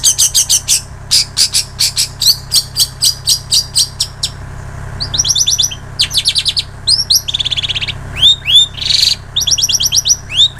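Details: Long-tailed shrike singing with mimicked notes of other birds, used as training audio for songbirds: rapid repeated sharp chirps in evenly spaced bursts, then varied buzzy trills and upslurred whistles, over a steady low hum.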